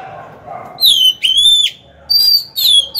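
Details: Decoy Oriental magpie-robin singing to draw wild rivals into fighting. Two pairs of clear, loud whistled notes, each slurring slightly downward, are separated by a brief gap.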